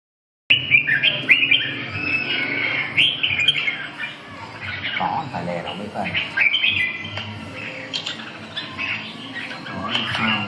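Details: Caged red-whiskered bulbuls at a friendly singing meet. Bright whistled and chattering phrases, mostly high-pitched, come in repeated bursts throughout. Men talk in the background, and the caged birds are judged against one another.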